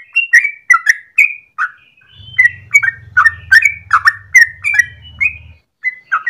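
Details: Morning song of a yellow-vented bulbul, long 'gacor ropel' style meant as a lure or training master: chattering, liquid phrases of quick warbled notes, with a low steady hum beneath the middle section.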